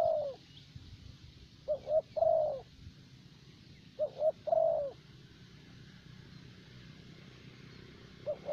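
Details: In Vietnam a decoy spotted dove of the favoured 'thổ bầu' kind coos in a cage, three phrases of two quick notes and a long soft coo, separated by a long quiet pause.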